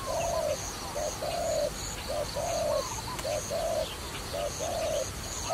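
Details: Repeated low coos from a dove kept for trapping, paired notes, one short and one longer, coming at a fairly even pace, with light twittering of other birds high above.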